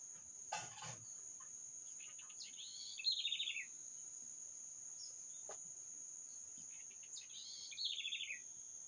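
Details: Two descending trilled bird phrases, each starting high and stepping down quickly, separated by a few seconds; a steady high insect drone and occasional knocks and rustles.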